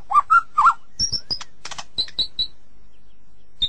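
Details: White-rumped shama giving a brief, broken phrase: three low fluty notes, a dry rattle, then a few thin, high whistles spaced apart, followed by a pause and one last high note.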